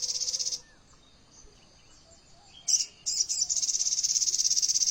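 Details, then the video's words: Sogon bird singing AK47-style rapid fire material. A buzzy high trill fades out, leaving a quiet gap with faint soft notes. Then come two clipped high bursts and a sustained machine-gun rattle of quick pulses. "pancingan suara burung Sogon Materi AK47,suara masteran burung Sogon"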